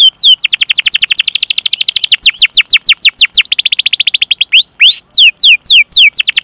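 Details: Singing canary used as a training master to draw out young or quiet canaries: long runs of rapid, high descending chirps, then a short rolling trill. Spaced, arching whistles follow, with a brief pause near the fifth second.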